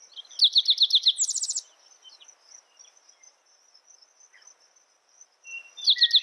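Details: Song of a spotted towhee: a rapid string of bright notes rising into a quick, buzzy trill, with a second song just beginning at the end. A high insect hum runs throughout.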